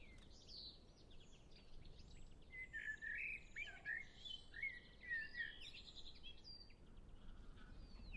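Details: Common blackbird singing: a run of rich, fluted, warbling phrases in the middle of the clip, each slurred up and down, with faint high twittering from other birds singing in the distance.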